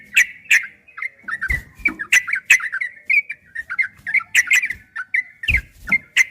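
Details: Rapid, continuous 'ropel' song of a yellow-vented bulbul from a master recording for training birds: lively rippling whistles and chattering notes run almost without break, with a few low knocks in the background.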